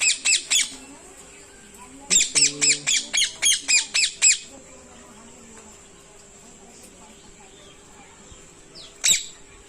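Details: A pair of caged parrots kept by villagers in a small village gives harsh, high squawks: three quick ones, then a run of about eight, and a single late squawk, with a faint voice calling "mittu" in between. Parrot.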